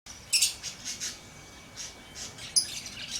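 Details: Lovebird chirping: a few short, shrill, high-pitched chirps, bunched near the start and again near the end, with quiet gaps between and faint background hiss.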